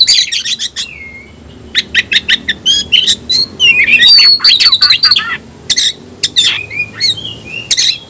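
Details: Oriental magpie-robin (kacer), tayoraky variety, a cage bird, delivering fast chattering notes, slurred whistles and rapid clicking sequences in a lively varied song.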